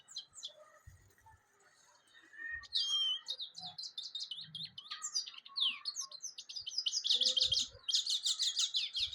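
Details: Goldfinch song starting with a few scattered notes, then building into a long, fast twitter of bright, high chirps and buzzy trills that becomes denser and louder in the final seconds.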